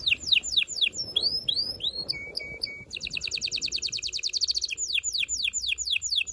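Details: Strong canary song for stimulating mating in males and females: sharp descending swept notes, upward whistles, a dense buzzing trill, then more rapid falling sweeps.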